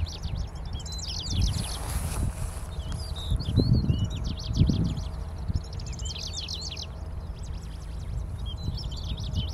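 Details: Middendorff's grasshopper warbler singing on top of a giant angelica plant, June 2022; bright rattling phrases of rapid high notes ending in quick chirps, repeated about every two seconds, with heavy wind buffeting underneath.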